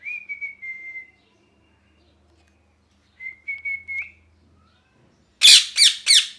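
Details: Pet parrot, angry and molting, gives two short level whistled notes, then a pause, then three loud harsh raspy squawks in quick succession at the end, indoors and otherwise quiet.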